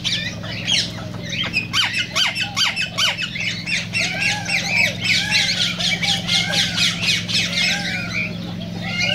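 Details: Cockatiel calls used to encourage breeding and singing: loud, harsh squawks and chirps repeated about four times a second, other birds chattering behind, with a low electrical hum throughout.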